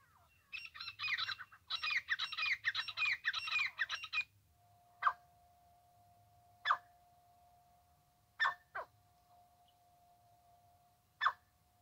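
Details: Francolin, known locally as teetar, recorded in connection with trapping: a rapid burst of loud, harsh, rhythmic notes for about four seconds, then isolated sharp single notes over a steady, unbroken background tone.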